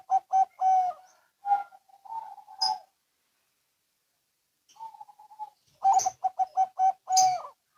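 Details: Zebra doves, a local and a Bangkok bird, answering each other: soft, purring cooed notes in short bursts, a quiet pause, then a fuller run of rapid staccato coos ending in a drawn-out note.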